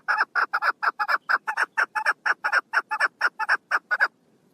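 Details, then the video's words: Female chukar partridge recorded 1 June 2022: a fast, even train of hoarse, clucking notes, about four each second, harsh and repetitive, lasting around four seconds before ending. "Female chakor best voike"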